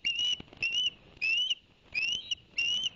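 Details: Ospreys at Barnegat Light, New Jersey, on a live camera, 11 September 2021, as the male brings two fish for the young: five piercing whistled chirps, each gently rising, spaced roughly every half second over faint hiss.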